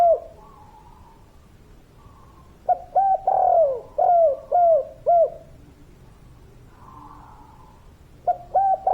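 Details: Local spotted dove singing in the 'kuk 3' style, used as a master recording for training birds. Deep, mellow coos come in a run of five or six quick hooting notes, then a pause, then a new phrase starts.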